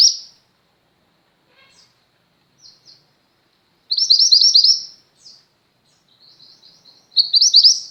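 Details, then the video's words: Female Mountain White-eye, a chatty singer used as tutor sound for pet white-eyes: short high thin chirps, then two bright rapid twittering bursts of about a second each, separated by silence, with no other sounds. "mantenan gunung betina gacor, cocok untuk masteran burung pleci anda."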